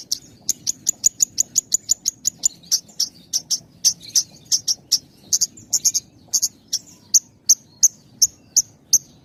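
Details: Javan bush lark song, tight-paused style used to tutor young birds: very high sharp ticking notes fired rapidly, about three per second, slowing slightly in places, with a thin steady tone early on.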